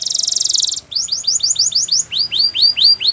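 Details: Canary song opening with a fast buzzy trill, then a run of rapid rising-falling whistled notes repeated about six times a second, followed by lower arched slurred notes.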